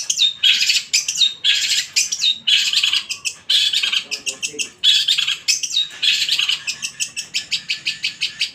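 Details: Long-tailed shrike in full, loud song, a kept cage bird: continuous dense scratchy chatter with short whistled slurs woven in, ending in a fast run of clipped repeated notes.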